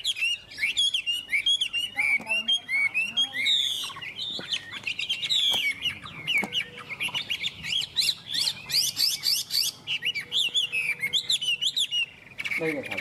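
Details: Chinese hwamei delivering a long, varied song of fast whistled and trilled phrases, with sharp high notes and short bursts of chattering, and brief gaps between phrases.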